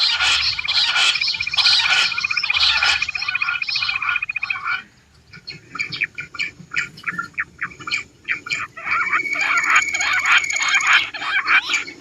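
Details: A female quail calling in fast, high, rasping bursts about twice a second, with a thin steady whistle-like tone running beneath and a brief pause midway; this call is used in hunting to attract other quail.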